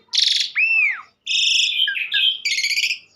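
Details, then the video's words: Asian pied starling delivering a short phrase: a grating buzz, a high arching whistle, then a string of nasal, metallic buzzy notes after a brief gap. "burung jalak suren super gacor"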